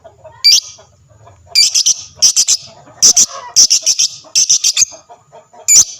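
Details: Lovebird song played to make other lovebirds answer, with piercing high chirps grouped in quick runs of three to six notes separated by short pauses, and a faint low hum underneath.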